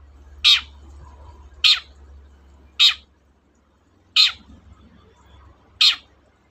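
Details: Long-tailed shrike recording meant to provoke a reluctant shrike to sing: five short, scratchy, descending screech notes, roughly one every 1.2 seconds, with a quiet low background hum.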